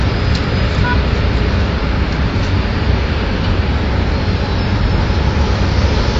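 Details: Loud, constant urban traffic roar from cars and buses throughout, no animal calls.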